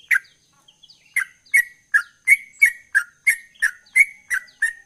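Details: Soft thin notes and a pause, then a sooty-headed bulbul singing gacor launches into a quick regular run of ringing whistled notes, roughly three per second, each sharply clicked at the start.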